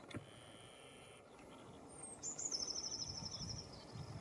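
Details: Lesser whitethroat delivering one high, even rattle of rapid clipped notes lasting over a second, preceded by a thin whistle; a steady faint tone and low background rumble are also heard.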